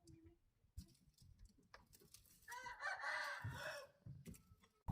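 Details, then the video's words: Rooster crowing once for about a second and a half midway, a rough harmonic call rising then fading, framed by low rumbling thumps and handling noise. "rooster, qaib zoo nkauj"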